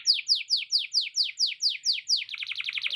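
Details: Canary in long, continuous song with lovebird cackling phrases mixed in: a row of about nine sharp, descending whistled notes, evenly spaced, then a faster, higher stuttering trill.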